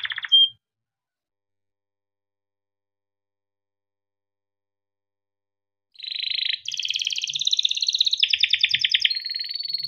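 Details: Yellow canary, a kept bird used as a master song for young canaries, gives a short note, falls silent for several seconds, then bursts into fast rolling trills that shift in pitch.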